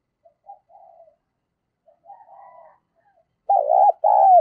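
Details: Decoy spotted dove calling to draw in others: scattered soft, quiet coo fragments, then a loud pair of full, mellow coo notes at the end.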